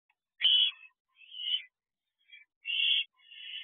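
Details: Barn owl owlets in a nest box, calling for more food in the early hours of 30 May as they near fledging: harsh hissing screeches, some long and some short, with pauses between them.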